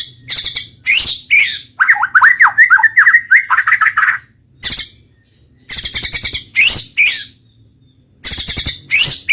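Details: Shama song of the 'roll tembak' type: stuttering rattling bursts at regular intervals, with a middle stretch of rapid rising whistled chips strung closely together.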